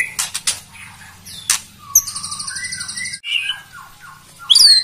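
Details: White-rumped shama song played to provoke rival birds into singing: a varied sequence of sharp clicks, high buzzy rattles and short whistled phrases, ending in a bright rising whistle.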